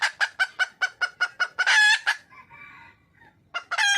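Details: Red junglefowl hen, wild, calling to attract a male: a fast run of about nine clipped, evenly spaced clucks building into a drawn-out loud cackle, a softer nasal note, then another strong burst.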